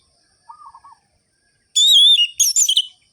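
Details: Orange-headed thrush singing vigorously in the sharp, rhythmic ngerol-ngeplong style used as a lure to rouse listless thrushes: a faint low whistled note, a pause, then a loud high warbled phrase of twisting whistles broken by a short gap.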